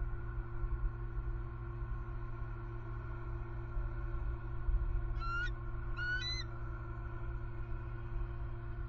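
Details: An eagle at the Southwest Florida nest, 1 December 2020, gives two brief, thin, high chittering calls about a second apart over a steady low rumble of wind and background hum.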